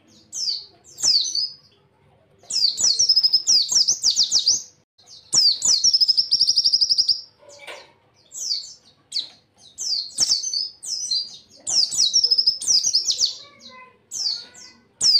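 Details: White-eye song kept as a master recording for training other white-eyes: bursts of high, thin, rapid twittering and warbled phrases, each lasting one to two seconds, separated by short pauses, with faint clicks and soft sounds in the background.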